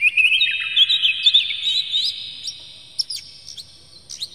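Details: Oriental magpie-robin lure song for provoking rivals: a rich, warbling whistled phrase for about two seconds, followed by scattered sharp, rising high notes.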